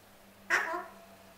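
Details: One harsh, grating squawk from a male pet Alexandrine parrot that wants his apple. Abrupt and loud at the start, it fades over about half a second through a layered, nasal tail.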